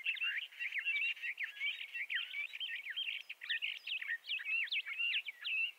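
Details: Bendire's thrasher pouring out a lively, continuous warble of twisting, whistled phrases, some notes sliding sharply up or down, with no gaps.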